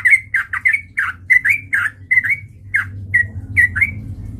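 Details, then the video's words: Lively chatter from a sooty-headed bulbul, played as a lure to trigger fighting: quick, slightly squawky burbling notes in close succession, thinning into spaced chirps toward the end. "PANCINGAN trucukan gacor TARUNG MENJADIKAN burung trucuk gacor NYAMBAR"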